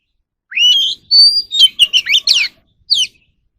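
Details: Oriental magpie-robin in a voice-training recording: a long rising whistle, a high sustained note, then a jumble of fast slurred and chattering notes and a final downslurred whistle.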